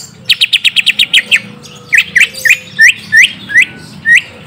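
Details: Greater green leafbird song, used to lure a young untamed bird into answering: a fast run of about ten sharp chip notes, then a slower string of upslurred whistles, each about a third of a second apart.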